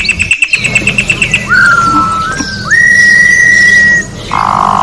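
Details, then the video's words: Orange-backed troupial in nature opening with a fast rhythmic series of short notes, then a slurred whistle and a long clear level whistle, ending in a buzzy rasp, over a constant low hum. "Corrupião Cantando na Natureza melhor canto pra encarte Corrupião"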